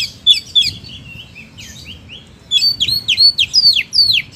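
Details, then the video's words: Oriental magpie-robin (kacer) in "gacor" song: a few whistled notes open, then a quieter pause, then a quick string of loud falling slurred whistles, with faint low hum behind. "Suara Burung Kacer Gacor, Kicauan Terbaik 2021"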